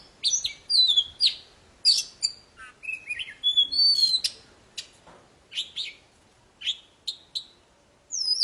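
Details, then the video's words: Poci bird in vigorous song to get silent birds singing again: dense varied whistles and harsh chirps early, then spaced single sharp notes, with a final high whistled phrase. "Suara burung poci super gacor cocok buat memancing poci macet jadi bunyi"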